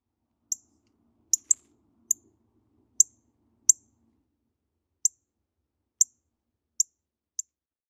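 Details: A Northern Cardinal gives its call rather than its song: about ten sharp, high, metallic chip notes, spaced unevenly roughly once a second, with a faint low hum in the first few seconds.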